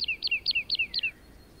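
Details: Lark singing while soaring over meadows and grasslands: five quick, high two-part notes, each sliding downward, repeated about every quarter second before the phrase stops, with a soft background hiss.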